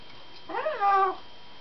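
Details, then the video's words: One very excited parrot giving a single harmonic, wavering cry about half a second long that rises, dips and then levels off, with a quiet indoor background. "one very excited parrot"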